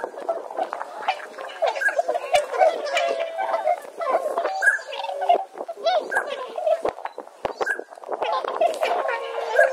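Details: Swans in Saitama, Japan, calling as a flock. Many overlapping honking, bugling calls sound continuously, rising and falling in loudness, with some short, sharp higher notes mixed in.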